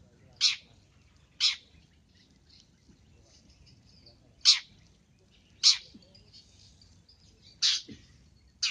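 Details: Long-tailed shrike lure call: loud, short, harsh grating bursts at uneven intervals of one to three seconds, six in all, with soft high chirps faintly heard between bursts.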